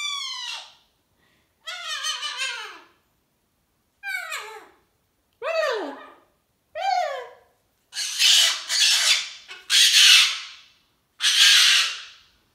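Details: Captive cockatoo throwing a hormonal tantrum indoors: several descending, nasal squawks in separate bursts, then loud, harsh broadband screams near the end.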